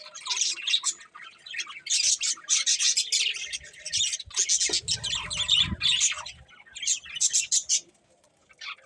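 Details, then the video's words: Several budgerigars chirping in a dense, nearly continuous chatter of rapid, squeaky high twitters and harsh squawks, with a brief low rumbling noise midway and the chatter thinning out near the end. "Cute Budgies Chirping Sounds"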